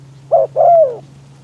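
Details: Single phrase from a caged decoy spotted dove luring wild doves on a windy day: a short rounded coo, then a drawn-out croo gliding gently downward, over a low steady hum.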